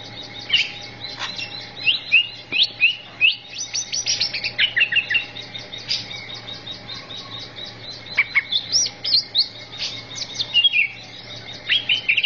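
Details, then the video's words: Greater green leafbird tutor song used for training birds: a long, varied, high run of quick whistled notes, chirps and slurred trills, mostly rising and falling, delivered in rapid bursts with short gaps, over a faint steady hum. "MASTERAN CUCAK IJO SANGAT MAHIR UNTUK TERAPI"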